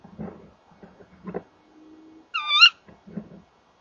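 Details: Inside and around a nest box, a Tawny owl of a calling male and female pair gives one harsh, upward-inflected call, surrounded by scraping and shuffling noises of the birds moving in the box.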